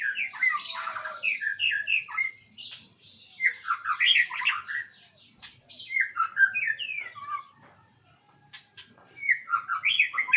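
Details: Morning song of a white-rumped shama: quick varied phrases of whistles and chattering notes, rising and falling, in bursts separated by short silences.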